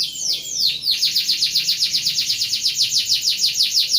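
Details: Canary rolling song (kenari ngeroll), described as suited for tutoring other birds: two or three high whistled downward sweeps open, then a fast, even roll of bright descending notes repeating about seven times per second.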